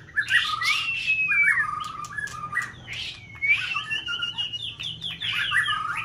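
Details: White-rumped shama in peak season, a competition singing bird, used to stimulate another bird to sing; rich whistled song of rising and falling slurred notes with long sweeping whistles and quick chirped phrases.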